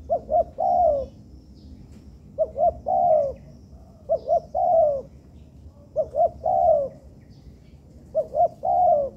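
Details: Captive spotted dove under training in an artificial yard repeats its three-part phrase five times: two quick low notes then a drawn-out descending coo, steady pattern roughly every two seconds, little other sound.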